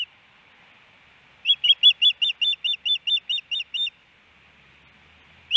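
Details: Osprey pair at the nest, Hellgate Canyon, Missoula, Montana, April 12, 2019, male calming the female: after silence, a burst of about eleven rapid piercing whistled chirps, then quiet again.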